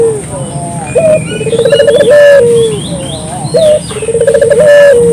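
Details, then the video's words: Lure recording of a local puter dove: two full phrases, each a short upturned coo, a fluttering rolled series and a long falling note. Soft bird twitters fill the background. "suara burung puter lokal jernih paling ampuh untuk pancingan pagi siang malam"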